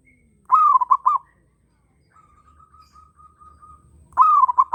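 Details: Zebra dove, a local bird in breeding condition, gives two loud rolling cooing phrases, rising then stuttering in quick beats, with a softer long trill from another bird joining in between them.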